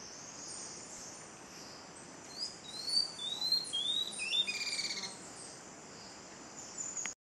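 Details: Tawny-throated Leaftosser (Sclerurus mexicanus) at Montezuma, W Andes, Colombia, in May: a short run of about six high, thin, slurred whistles stepping down in pitch over three seconds, over a steady high hiss.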